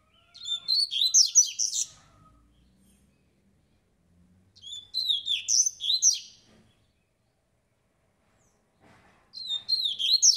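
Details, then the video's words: Song of a black-collared seedeater, called fast and strong: three energetic bursts of high, rapid chirps and buzzy trills, each lasting over a second, separated by quiet gaps of about two seconds. "COLEIRO REI NEGRO"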